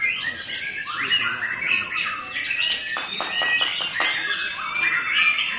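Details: Singing white-rumped shama named Akar Langit: fluty whistles sliding up and down, mixed with sharp clicks and chattering notes, in one rich, unbroken phrase.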